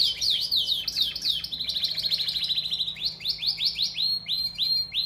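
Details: Canary song used to ready females for mating, made of rapid high rolling phrases that shift pitch, then slow into clear repeated rising-and-falling whistles spaced about a third of a second apart.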